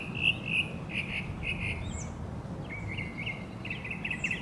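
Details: Northern mockingbird (Mimus polyglottos) singing in Hermann Park, Houston, Texas: quick runs of repeated chirpy, warbled phrases at mid-high pitch with a few thin higher notes, over a steady low rumble.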